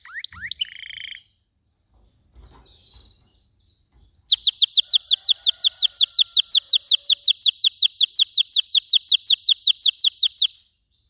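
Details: Canary singing: a few opening chirps and a soft warble, a short quiet gap, then a long, very fast and regular roll of sharp descending notes lasting about six seconds.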